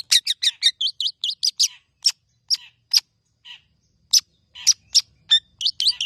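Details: Tame long-tailed shrike in full, vocal song packed with mimicked phrases in the rapid 'nembak' style, used to prompt and tutor other birds: quick bursts of sharp, high chirps and harsh notes, a brief pause midway, then more rapid bursts; quiet background.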